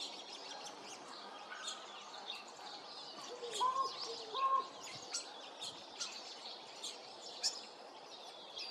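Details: American crow making an unusual "coo-honk" sound, 28 February 2026; two low curved notes near mid-clip, set against steady background chirps of other birds.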